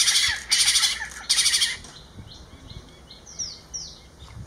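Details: Spotted owlets in Ahmedabad, Gujarat, recorded on a Nikon camera: two harsh, loud broadband screeches in quick succession, then softer high down-slurred chirps repeated a few times, with a steady high insect hum behind.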